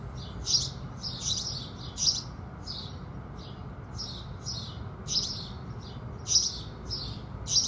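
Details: Morning house sparrow song at sunrise, with no added music. Scratchy chirps are spaced irregularly, about fifty a minute, some louder and closer, others softer, over a constant low background hum.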